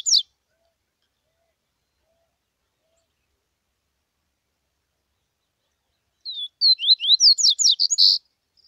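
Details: Tuica-style song of a coleiro (double-collared seedeater) from Bahia, Brazil: one sharp high note, a long silence, then a fast phrase of thin whistled slurs and quick chips closing on a buzzy burst. The background is quiet.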